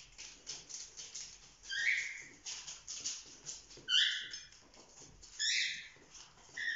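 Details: Young cockatiels, a group of chicks just over four months old, kept as pets and playing together. Harsh, rising harmonic squawks come in three clear bursts about every one and a half seconds, over soft scratching and rustling.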